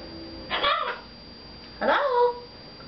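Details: Male red-fronted macaw, a household pet, talking to its owners; two drawn-out, nasal, wordlike calls about a second apart, the second rising then leveling into a held tone.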